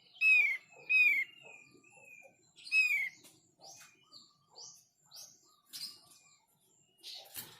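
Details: Thick-billed white-eye song meant to draw replies from others of its kind: loud, pure, slightly falling whistles given in quick succession, then a string of short, high, rising chirps repeated about twice a second.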